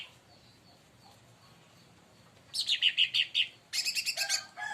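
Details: Leafbird, called cucak ranting or cica daun, singing after provocation by another bird; a quiet opening gives way to a quick series of ringing high notes followed by busy chattering.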